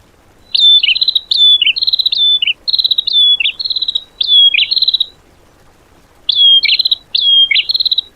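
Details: Training song for cage birds, 'tembakan' style filler material: rapid series of loud, high whistled phrases, each ending in a falling flick, repeated steadily, then a short gap and a final pair of phrases.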